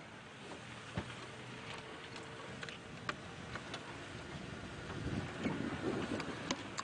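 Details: Only vehicle engine rumble, wind and scattered clicks and knocks are heard, with no animal voice.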